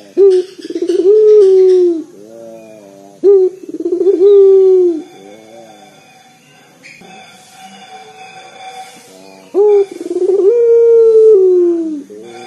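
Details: Bass-heavy song of a local collared dove used for luring. A run of stuttered low coos falling in pitch, then a quiet gap of several seconds before a final long coo.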